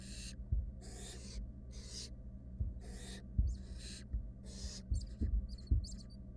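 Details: Three wild barn owl nestlings huddled with their mother in a research nest box give rasping, noisy hisses in quick succession. Thin high chirps and soft clicks join near the end, with a constant low hum underneath.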